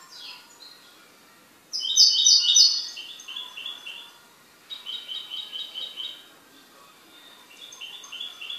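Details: A kept goldfinch sings bursts of bright, high twittering notes, a loud buzzy rattle near two seconds, then quieter chattering phrases repeated after short pauses, with no other sounds.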